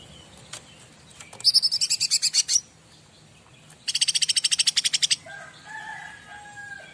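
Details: A bar-winged prinia sings as master song to get other birds responding: two fast trills of high, evenly repeated notes, the second longer with about seventeen notes, then faint lower whistles.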